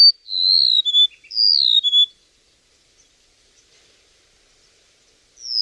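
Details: Bird song in two matching bright whistled phrases, each a long slightly falling note followed by a lower short note, then a quiet pause of about three seconds before a final high whistle begins.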